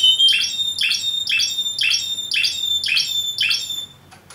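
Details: Yemen linnet repeating one buzzy phrase about every half second, each a high whistled note sliding into a lower rasping burst, seven times before falling quiet.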